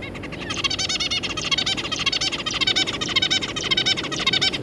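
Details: Zebra finches, a pair with three juvenile babies, giving a fast continuous stream of nasal stacked calls and chatter, loud and steady throughout.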